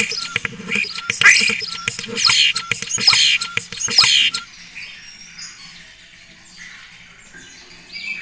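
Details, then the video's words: Spotless starling at a webcam in Cabañeros National Park, Spain, pouring out loud rising whistles and clicking rattles for about four seconds, then only faint thin high notes and a low steady hum. "Impresionante concierto de estornino negro"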